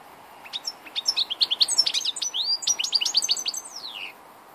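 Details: An old European goldfinch singing, recorded on 2 August 2014: a dense, fast twittering of thin, high notes and liquid slurs that builds after half a second, runs for about three seconds and ends in a long falling slur.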